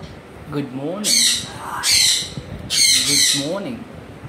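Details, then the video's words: Pet African grey parrot giving loud, harsh broadband squawks in three bursts about a second long, with lower whistled, speech-like mimicked notes between them. "my african gray parrot sounds making"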